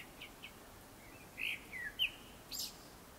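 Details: Japanese thrush singing before sunset: a few short whistled phrases, some sliding downward, scattered over three seconds with quiet pauses between them, fairly faint against a soft background hiss.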